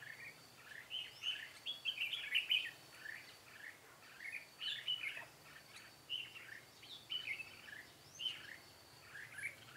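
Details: Singing red-whiskered bulbul serving as a decoy at a butterfly-wing trap, 13 March 2017. Short, lilting warbled phrases repeat at uneven intervals over a soft, constant background hiss.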